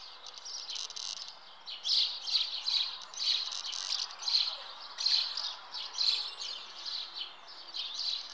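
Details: Nesting common house martins chirp loudly in regular high bursts about every half to one second, a lively rhythmic twitter over quiet background.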